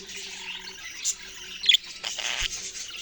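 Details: Soft budgerigar twittering punctuated by a sudden shrill squeak and then a brief harsh, noisy burst of chatter near the end, over a faint low hum.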